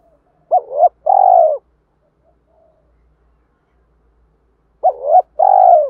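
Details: Spotted dove calling hens and provoking a rival to fight, used to stir up a decoy bird: two coo phrases, each a short rising hooked note then a longer, husky, steady coo, separated by about four seconds of silence.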